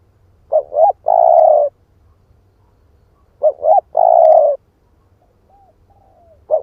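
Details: Split-breast (ức chẻ) spotted dove cooing as a lure: a two-part phrase of a quick double coo followed by a long, steady, hollow coo, repeated about every three seconds over a faint low hum.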